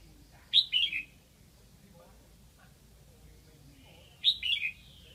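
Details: Decoy red-whiskered bulbul from Lạng Sơn singing to lure wild bulbuls: two short bright phrases about four seconds apart, each a sharp high note then a slurred, falling whistled warble, over quiet low background hum.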